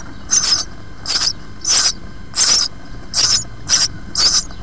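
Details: House sparrow chicks, four nestlings in a nest box on their sixth day, skin darkening as feather quills are about to appear, give harsh, high, hissing chirps in short bursts, about seven in under five seconds, over a faint steady hum.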